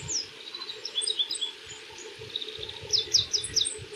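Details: Oriental greenfinch in varied spring song at Yuzawa Central Park, 14 March 2026: quick high twittering notes and sharp descending chirps, ending in a rapid run of bright notes, over a low background rumble.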